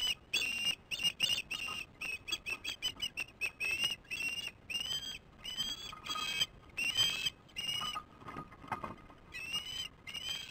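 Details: Osprey chicks working on their nest at 18:44 on 08/06/15: rapid series of thin, high whistled chirps, some rising then falling, given in quick bursts with short gaps throughout.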